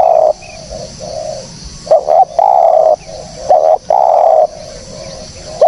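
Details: Spotted dove cooing, recorded for use as a trapping lure: long low mellow coo notes in uneven groups, some loud and drawn out, others short and softer, with a constant faint hiss in the background.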